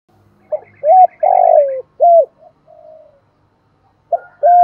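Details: Morning call of a decoy spotted dove drawing in wild doves. One complete phrase of hoots around a long falling coo, a faint softer coo after it, then the next phrase beginning.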